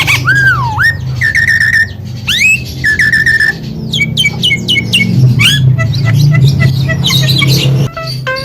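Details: Javan myna song, played as therapy to make a bird sing more often: varied whistled slurs, rising and falling notes and harsh chatter, over a steady low droning hum throughout.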